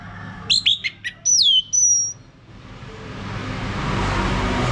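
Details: Orange-headed thrush song used as a lure to set a male singing ngeplong: a quick run of sharp chips, then a ringing whistle that slides downward, after which rising hiss and noise fill the rest.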